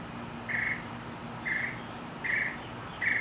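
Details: Mockingbird in Mexico repeating one short buzzy, rattling phrase four times, spaced roughly every second, against a steady background hiss.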